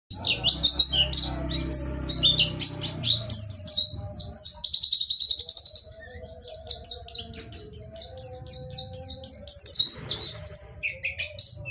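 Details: White-eye of the dakun type from Pacitan singing in the rolling, shooting ngerol nembak style: a fast, unbroken run of high, sharp chirps and trills, with one long buzzy burst near the middle and faint low hum beneath.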